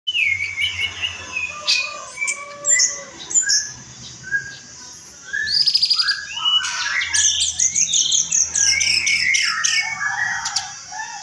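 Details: Orange-headed thrush singing a varied song of clear whistled phrases, rising and falling slurs and sharp high notes, with short pauses and a busier run near the end, over a low rhythmic thumping hum.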